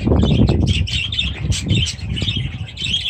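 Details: Budgerigars and their new chicks in aviaries, dated 23 July 2017: a steady stream of high, scratchy warbling chirps over rumbling low thumps and fluttering wings.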